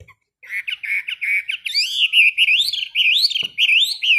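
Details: Chinese hwamei kept in a cage, sung during morning song training: a rapid run of clear whistled notes swelling into wavering, rising-and-falling phrases that continue without a break to the end.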